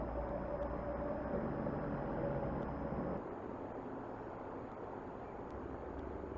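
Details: Continuous road and engine rumble with thin tonal hums, easing slightly halfway through, no creature audible.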